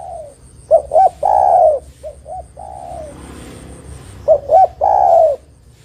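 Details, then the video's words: Spotted dove song meant for luring and trapping. Two loud rising notes and a long falling coo, a softer pair and coo, then the full phrase again after about three seconds. "Suara Burung Terkukur Gacor Paling Top Untuk Pancingan & Pikat Dijamin Lawan Nyaut"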